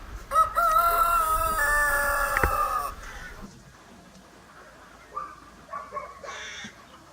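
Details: Hen sitting in a tree lets out a loud, sustained, tonal call for about two and a half seconds that steps slightly higher midway, then breaks off; softer short clucks follow, with quiet background.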